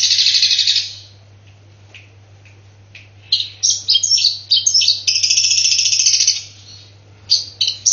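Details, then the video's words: A long-tailed shrike sings harsh, high chattering bursts imitating fighting sparrows, with pauses between volleys over a steady low hum. "CENDET EDAAAAN ..!!! isian kok hanya gereja tarung"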